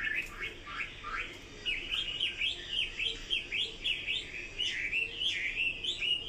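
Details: Quick, rhythmic song from a Chinese hwamei: short hooked whistles repeated several times a second in a bouncing, looping pattern over faint background hiss.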